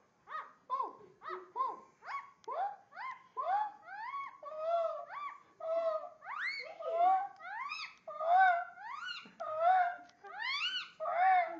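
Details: Indian ringneck parakeet talking and barking in a long unbroken series of short, harmonic, bark-like notes, many sliding upward, growing louder toward the end.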